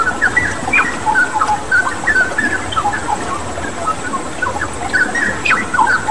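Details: Vigorous song of a straw-headed bulbul (cucak rawa) set against flowing water; a rapid series of loud whistled notes and quick slurs, uneven in rhythm, continues through the whole stretch.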